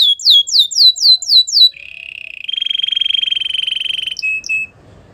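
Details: Canary singing six loud falling whistles, then a steady buzzing trill that rises into a bright sustained roll, ending with two short chirps.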